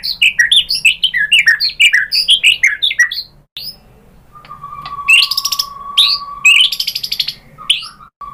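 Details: White-rumped shama song used to provoke other shamas into answering: rapid run of varied chirps and whistled notes, a pause, then harsh buzzy rattling bursts alongside a long steady whistled tone.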